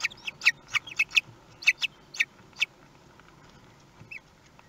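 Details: Common kestrels at the nest in Théding, France, on 2 June 2020 while a large prey is eaten; a quick series of sharp clipped chips, then quiet with one faint final note.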